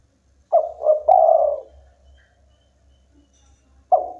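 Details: Strong song of a local spotted dove: two brief coos and a longer drawn coo, then the next phrase begins after a pause, faint low hum beneath.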